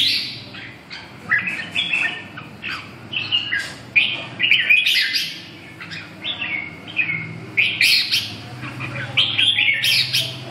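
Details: Red-whiskered bulbul in a lively, fast song: chattering, whistled notes tumbling in quick irregular succession, some sweeping high, over a faint low background hum.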